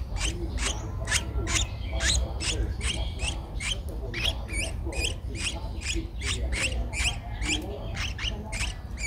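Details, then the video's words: Streak-eared bulbul nestling at 11 days old, Ubon Ratchathani, Thailand, 13 April 2023, calling in a long run of high, squeaky, rapidly repeated notes with brief pauses, over low rumble. "นกปรอดสวน อายุ 11 วัน : Streak-eared Bulbul"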